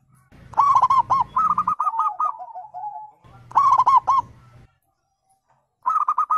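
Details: Zebra dove, local and Bangkok types, calling to make other birds answer: rapid stuttered note bursts followed by a wavering trailing coo, repeated after a pause and starting again at the end.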